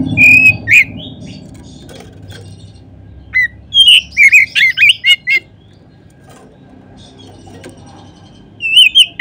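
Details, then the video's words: Oriental magpie-robin (kacer) lure recording meant to stimulate other magpie-robins to sing: loud bursts of clear whistled notes and trills, separated by pauses, over faint low background hum. "Kacer manapun seketika terangsang berbunyi dengan pancingan ini."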